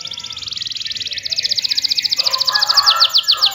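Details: Canary in lively rolling song, used as a lure to prompt quiet canaries to sing: a fast, even trill of high buzzy notes that grows louder, then shifts into a brighter, slower-pulsed run near the end.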